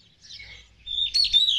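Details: Spotless starling recorded during courtship gives a brief, high, squeaky phrase with a drawn whistle and chattery notes, after softer twittering, over a low background hum.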